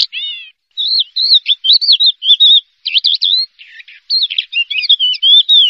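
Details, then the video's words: Champion Javan bush lark from a singing contest, ranked first, delivering a varied song of slurred whistles, rolling chirps and buzzy notes in short rapid phrases, with a quiet background. "SUARA BRANJANGAN JUARA 1"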